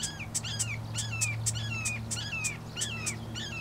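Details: Marsh wren at Johnson Log Pond, Coos County, Oregon, on 2 April 2020: sharp dry ticks alternate with short descending slurred whistles, repeating several times a second over a steady low hum.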